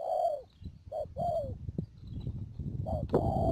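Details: Trapping decoy spotted dove in Đầm Dơi, Cà Mau, March 2019: brief falling coo notes amid loud low rumbling and rustling noise, with a thin steady high whine behind.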